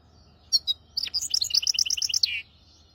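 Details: Hybrid finch singing a tutoring song for goldfinches and canaries: two sharp opening chirps, then a fast, bright trilled run of evenly spaced high notes lasting over a second, ending in a lower buzzy slur; a low hum runs underneath.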